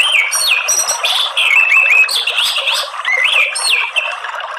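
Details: Song of the orange-headed thrush, used as therapy for a caged bird: loud, varied whistled phrases with upslurred and looping notes, delivered continuously over a rushing background.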